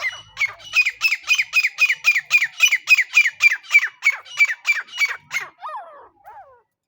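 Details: Francolin call played as a lure for net trapping: a loud, harsh, squawking note repeated steadily about four times a second for over five seconds, ending with two softer, falling whistled notes.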